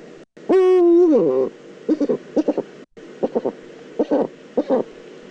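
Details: Eurasian eagle-owl recorded in the Eifel on 22 October 2014, giving a single strong drawn-out call, steady then sliding down, followed by scattered short clipped bursts at irregular intervals.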